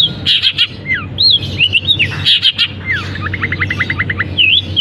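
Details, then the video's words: Caged long-tailed shrike singing right after its cage cover is lifted, its song filled with imitations of canary, fighting sparrow and kapas tembak: sharp high chirps, downslurred whistles and a fast run of about ten clipped notes. "Cendet Gacor Isian Kenari, gereja tarung, kapas tembak"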